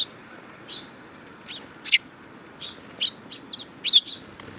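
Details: Sparrows, 10 June 2018: scattered short high chirps, about six over several seconds, irregularly spaced, some sharper and louder than others, against quiet background noise.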